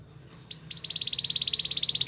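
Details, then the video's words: Spanish Timbrado canary singing: after a short silence, a sliding whistle leads into a fast, even run of bright chipping notes, about twelve per second, growing steadily louder. "Melodies canary bird song | Spanish timbrado singing"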